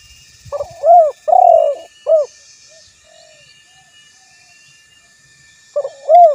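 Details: Spotted dove giving a three-part coo, a rounded note, a longer throaty coo and a short final note, then a pause of about three seconds before the phrase begins again. Faint high insect drone in the background.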